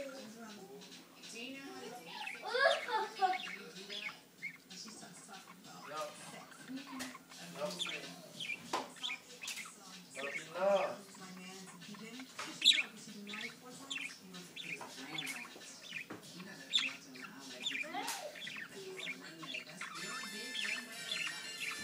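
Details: Two pet budgerigars chatter in a steady stream of warbling, squeaky notes and quick chirps, with voices speaking Spanish nearby.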